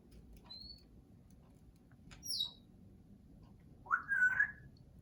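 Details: Congo African grey parrot, a 35-year-old female pet that enjoys talking: scattered thin whistles at high pitch, then a louder warbling whistled phrase near the end, over a quiet low background hum.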